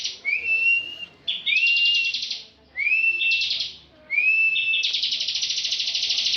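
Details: Bar-winged prinia known for winning national singing contests: upward-gliding whistled notes each open a buzzy trill, the final trill stretching into a long, rapid pulsing run.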